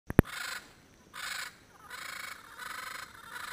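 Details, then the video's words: A pair of endangered Double yellow-headed amazons (Amazona oratrix) in Caribbean pines at sunset, Payne's Creek National Park, Belize, late January 2012, give raucous calls: five harsh, raspy squawks about every half to three-quarters of a second after a sharp click. "The call of the Yellow-headed Parrot"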